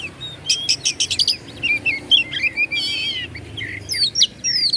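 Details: White-rumped shama (kacer) song to provoke other shamas: a rapid series of sharp clicking notes, twittering whistles, a buzzy trill, then more high looping notes.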